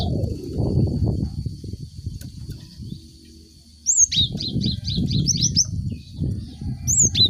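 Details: Cinereous tit song used to provoke birds in group cages into singing; after low rumbling noise, a quick run of high whistled notes dropping sharply in pitch, repeated about eight times, then one more phrase at the end.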